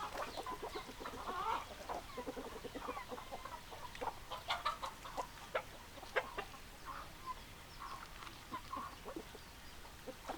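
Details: Hens clucking in a busy flock, short repeated clucks and cackles overlapping throughout, with no clear rooster crow.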